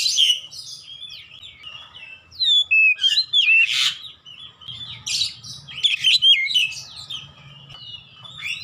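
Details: Oriental magpie-robin song, offered as therapy to get a silent bird singing again: varied whistled phrases of sweeping, slurred notes and quick chirps, loud bursts repeated several times a second, over a faint low hum.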